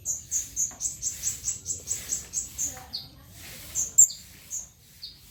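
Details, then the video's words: Long-tailed shrike song used as a lure to make other shrikes answer: a run of sharp high whistled notes, about four a second, then a few short downslurred notes with pauses between them. "PANCINGAN CENDET TERBAIK, SEMUA JENIS CENDET PASTI NYAUT BUNYI DIBUATNYA"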